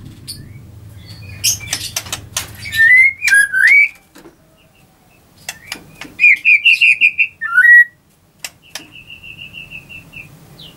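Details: Captive white-rumped shama at a bird farm in Anyer, Banten, Indonesia, singing to make rivals react: clear whistled notes with slurred rising and falling phrases and a rapid repeated trill, between dry clicks and pauses.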